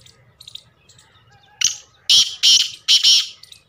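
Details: Black francolin, a caged bird, giving loud harsh grating calls: three strong buzzy bursts in quick succession after a fainter first note, preceded by soft chirps and low background noise.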